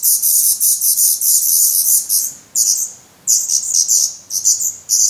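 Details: Feathered, fast-growing Black Redstart chicks begging from their nest in Portugal on 17 May 2020; shrill, hissy high chirps in tight bursts, broken by a silent gap near the middle before the clamour resumes.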